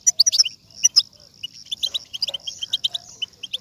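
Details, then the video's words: European goldfinch batbata, used to stimulate a goldfinch into song: a few loud sharp opening chips, a pause, then an even, quick series of high tinkling twitters. "بتبتة لتحفيز الحسون و جعله يغرد فوراً"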